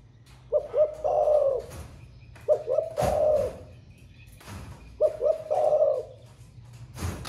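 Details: Caged spotted dove singing thổ pha style, newly cooing all day, delivers three phrases of two short notes and a longer rasping coo, roughly every two and a half seconds, amid sharp cage knocks.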